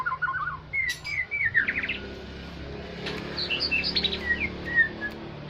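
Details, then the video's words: White-rumped shama of the Aceh type, song used as a lure to provoke other birds: varied clear whistled phrases, slurred and rising notes with quick twittering runs, moderately faint against a steady low background hum. "murai batu pancingan murai batu aceh bikin burung lain emosi"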